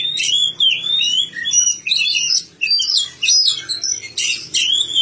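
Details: Oriental magpie-robin, a kacer cared for in a village, pouring out sweet whistles and harsh chattering notes in quick phrases with brief pauses, over a faint low hum.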